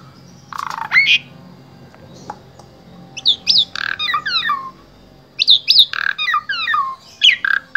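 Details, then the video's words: Varied song of an Asian pied starling kept as a vocal tutor for other starlings, recorded in Wonosobo, Central Java: loud harsh squawks mixed with rapid chattering and whistled slurred notes in repeated bursts, with short pauses between phrases. "Jalak SUREN SUPER GACOR Full Isian Sangat Ampuh Dijadikan Guru Vokal Jalak Trotol"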